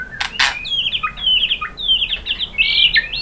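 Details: White-rumped shama song meant to stimulate other birds to sing: two sharp clicks, then a string of high, slurred whistled notes running into a bright, drawn-out phrase near the end.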